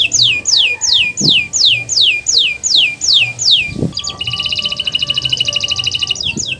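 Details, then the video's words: Canary master song for prompting non-singing canaries: about ten evenly spaced falling whistled slurs, then a dense fast buzzy roll, with faint knocks in the background. "Masteran Burung Kenari untuk Pancingan Burung Macet Bunyi"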